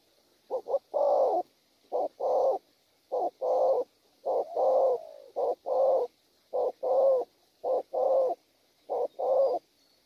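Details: Spotted dove, wild-caught and prized for its cooing, repeating a regular pattern for ten seconds: a quick clipped note followed by a longer husky coo, about eleven pairs, steady and close.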